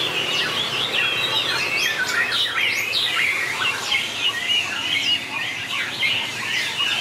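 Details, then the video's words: Competing white-rumped shamas sing with long voice changes. A steady stream of rising and falling whistles, brisk chirps and quick trills overlaps, loud and unbroken. "Tuyển tập chòe lửa hót đấu Bộ đẹp,nết chơi đẹp,đảo giọng dài hay nhất 2019║Suara murai batu gacor"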